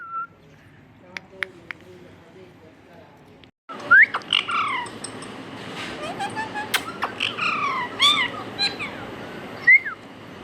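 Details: Talking pet parrot mimicking words: a quiet start with a few faint ticks, then louder squawky, word-like phrases and rising whistles over a rough background hiss.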